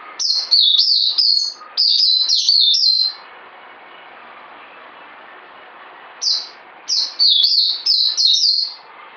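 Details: Two long bouts of rapid, high, sweet twittering from a caged white-eye, notes tumbling several per second, with a quiet gap between bouts.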